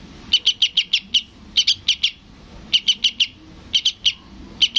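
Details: {'caption': 'Sooty-headed bulbul chick calling to its parent. Quick series of high, sharp chips in groups of three to six, with short silences between groups.'}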